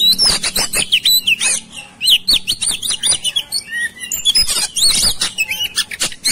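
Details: Oriental magpie-robin (Copsychus saularis), song: agitated, aggressive singing toward a rival.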